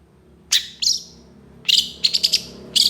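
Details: Long-tailed shrike in full harsh-burst singing: two separate high squeaky notes, a pause, then a quick run of four sharp chirps ending in one more squeal, over a faint low hum.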